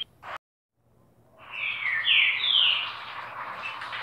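A green-winged saltator gives a short phrase of loud, clear whistled notes that rise and fall over about two seconds, with steady background hiss and a brief noise at the start.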